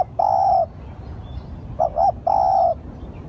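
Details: Lure call of a spotted dove: one long level coo, then a pair of short rounded coos and another drawn-out coo, soft and mellow against faint hiss.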